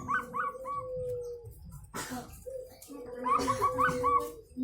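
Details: Unusual-voiced local wild-type zebra dove: two brief runs of rapid, choppy cooing notes, separated by a burst of noise, with a steady mid-pitched drone and low hum behind.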